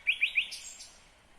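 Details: Singing nightingale, Kyrgyzstan, 2020: three loud, piping whistled notes spaced evenly, followed by softer high, hissy phrases that trail off into quiet.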